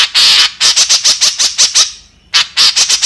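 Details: Harsh calling of a white-breasted woodswallow, known locally as kekep: one drawn-out rasping note, then a burst of short squawky notes, a brief fading pause, and another quick cluster of grating calls.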